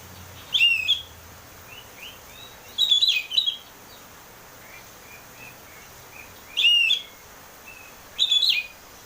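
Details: A lure for a caged bird: Oriental magpie-robin in ngeplong song, giving four strong whistled phrases with warbling slides, widely spaced, with soft scattered notes between them and faint hiss.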